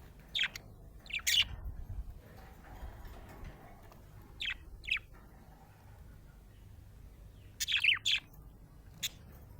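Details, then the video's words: Happy budgerigar chirping in scattered bursts: sharp, high descending chirps singly and in quick pairs, with a cluster of rapid warbled notes near the end over quiet background hiss. "Happy budgie chirping sound"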